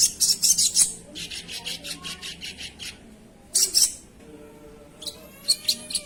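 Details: Crimson Sunbird singing actively; rapid bursts of very high, thin chittering notes in quick trills, a sharp cluster near the middle, then scattered high twitters, with faint lower tonal sounds in the background.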